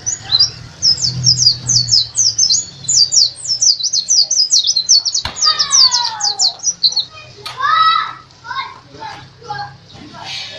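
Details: Bali white-eye (pleci dakun), a national champion songbird, giving a fast, high, chattering twitter of rapid notes; lower sliding whistles and a sharp click follow partway through.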